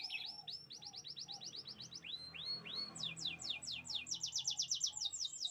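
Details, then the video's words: Canary singing a chirping song: quick repeated sweeping notes, a few slower downslurred whistles, then a rapid series of sharp descending chips, all high and bright. "the beautiful chirping sounds of canaries"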